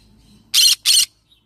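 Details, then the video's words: Yellow-sided green-cheeked conure giving two harsh, buzzy squawks in quick succession, each about a quarter second long, then silence. "Yellow sided Green cheek conure parrot sound"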